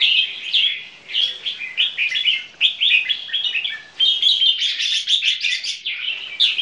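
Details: Two caged red-whiskered bulbul crossbreeds, one about a year and five months old, display in song: a near-continuous stream of lively, warbled whistles and quick chirps, overlapping and varying in pitch, with no pauses.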